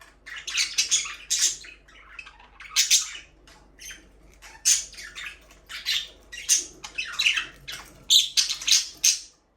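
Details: Chirping of pet budgies kept as a breeding pair in an aviary, meant for a lonely bird: rapid scratchy chattering and squeaky high notes pour out in short bursts almost continuously, some notes sliding downward.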